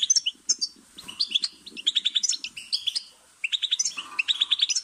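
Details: Goldfinch song for stimulating caged birds, rapid tinkling twitters and rattling chirp bursts, broken by a short pause before the song resumes.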